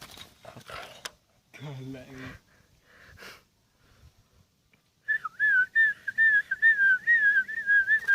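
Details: Ten-year-old sooty-headed bulbul kept by an owner; several seconds of clattering and harsh noises, then a steady run of quick, bubbling whistled notes.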